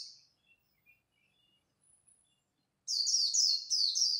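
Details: Dawn competition singing by a white-eye in the khuyên líu style: after near-silence, a sudden fast run of bright, high, slurred twitters tumbling in quick succession.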